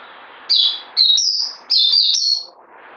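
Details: High-pitched twittering song from a caged white-eye: three quick bursts of slurred, warbling notes in close succession, then quiet.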